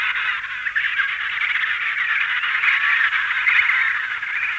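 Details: Emperor penguin colony, adults and chicks calling together: a dense, continuous chorus of overlapping trumpeting and warbling calls at mid-high pitch, steady throughout, with a slight background hiss.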